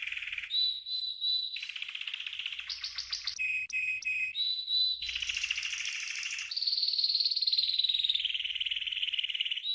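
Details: Training song from a green canary, used to teach learning birds: varied phrases of fast rolling trills, clear whistled notes and rapid repeated chips, ending in a long sustained buzzy roll.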